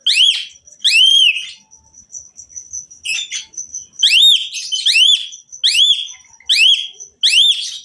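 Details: Asian pied myna performing full song with filler phrases to make other mynas sing along: loud arched whistles about once a second, brief buzzy chatter, and a thin steady high piping running through.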